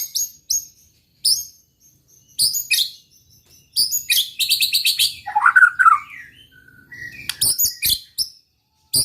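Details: White-rumped shama song for provoking rivals: scattered high sharp notes, then a dense burst of rapid high chatter, lower rich warbles and more clipped high calls.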